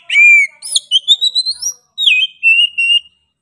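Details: Oriental magpie-robin in vigorous song: a loud low whistle, then a rapid string of upswept, clipped notes, a pause, and a falling slur leading into steady whistled notes.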